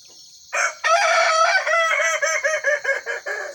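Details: Kukuak Balenggek rooster crowing during a trial in one cage, where a red bird and a yellow bird are tested against each other. A loud, rich crow opens with a long drawn note, then breaks into a run of stepped, separate syllables that fade out. A steady high insect hum runs behind it.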